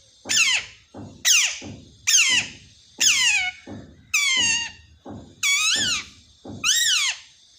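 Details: Talking parrot said to speak "mummy mummy": seven loud harmonic calls roughly once a second, early ones falling sharply, later ones arched and wavering, with soft low thumps between them.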